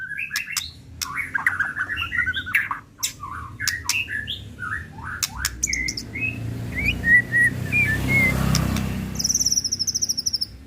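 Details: White-rumped shama 'pastol' lure song: rapid chirps and clicks with slurred whistles, trailing into softer twittering and a fast high rattle, with rising background noise in the second half.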